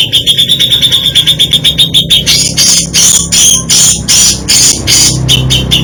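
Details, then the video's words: Grey-cheeked bulbul singing a variation of fill-in phrases, isian: rapid, sharp repeated notes around a steady high pitch, about three per second, giving way to louder, broader bursting notes with a low hum underneath. "Variasi ISIAN Cucak Jenggot ini bikin merinding kicauannya"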